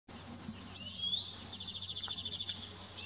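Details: Italian sparrow (Passer italiae), call.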